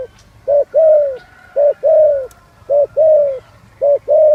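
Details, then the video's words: Spotted dove singing in the style locally called giọng son: a short low coo followed at once by a longer, steady, slightly falling coo, the pair repeated four times at about one-second intervals over a faint low hum. "Tiếng chim cu gáy giọng son"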